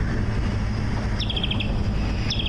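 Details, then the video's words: Grey-headed kingfisher, a migratory summer visitor, gives its shrill call: a high note, then a quick even run of about six sharp chips, starting again at the end, over a steady engine rumble. "the grey-headed kingfisher is really pretty, and its call goes something like this. It's"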